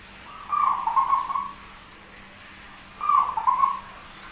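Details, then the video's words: Rare zebra dove with an odd-sounding but persistent song: two separate trilled, warbling coo phrases about a second long, roughly two and a half seconds apart, over quiet background hum. "PERKUTUT SUARA ANEH TAPI GACOR"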